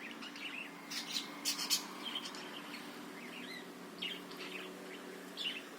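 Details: Budgerigar song used as a lure to stir other birds into singing and make them keen: scattered bright chirps and short twittering notes with a few louder clustered bursts near the middle, over a low steady hum.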